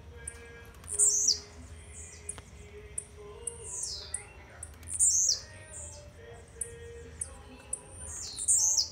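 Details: A young blue-black grassquit from Jacarepaguá, Rio de Janeiro, singing slowly in small bits, gives short, high, buzzy descending phrases about every two seconds over a faint hum and background noise.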